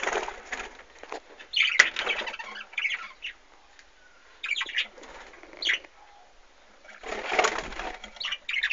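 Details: Aviary budgerigars with chicks, 2013: dense spells of scratchy, chattering chirps and rasping notes in clusters lasting one to two seconds, broken by brief lulls, plus fluttering and rustling.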